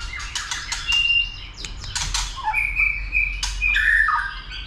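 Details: White-rumped shama being trained and stimulated to sing a lot and fight, with tail-flicking; scattered clicks and short sharp notes, then brief level whistles and a falling slur, over low background rumble.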